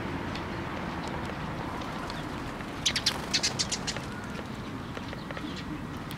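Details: A quick run of high, rapid chirps near mid-clip from sparrows arriving for food on a post at a Tenmangu shrine on 26 May 2024, then faint twittering over a constant low hum.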